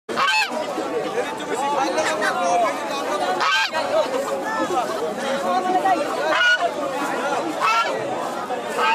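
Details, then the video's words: A dense chorus of honking, bugling calls from many swans at once, overlapping continuously, with a few louder broadband bursts. "Swan Sound"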